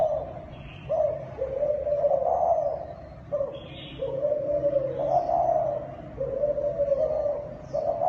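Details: Thai spotted dove delivering a long sequence of hollow coos, several stretched and gently rising then falling, separated by short breaks, with a faint low background drone.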